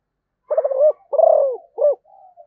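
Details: Cu gáy Malaysia, the zebra dove, sings a rapid phrase of three strong, low, trilling coos, the middle one longest, closed by a faint thin drawn-out note.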